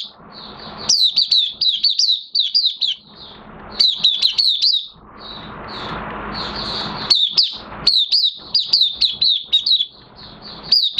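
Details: Oriental white-eye in a cage, in minor moult, singing openly on 3 June 2022: bursts of quick, piercing high chirps alternate with stretches of broad hissing noise.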